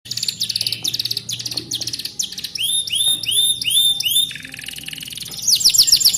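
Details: Kept canary singing a song learned from a mountain ciblek tutor ('isian ciblek gunung'). It gives fast, high buzzy trills, then a run of ringing, down-slurred whistled notes and sharp repeated chips.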